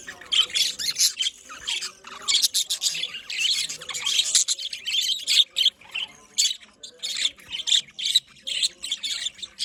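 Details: Several pet budgerigars in a small colony chattering constantly, a busy stream of bright, high chirps, twitters and short squawks overlapping without pause.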